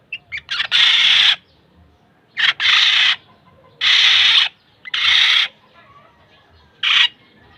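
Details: Kilyawan, the black-naped oriole, repeating a raspy, nasal, buzzing call about once every second or so, each note preceded by short clipped sounds; quiet background otherwise.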